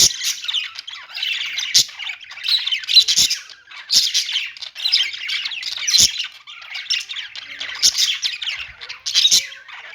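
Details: Budgies chattering in a steady busy warble of scratchy chirps and squeaks, rising in loud bursts about every second or two, with occasional sharp clicks in between.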